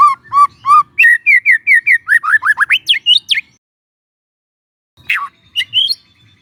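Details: Young forest White-rumped shama, used as a lure for training, giving clear whistled phrases: low rising notes, then a quick chain of higher upward-sweeping whistles, a short pause, and a few final sharp squeaky notes.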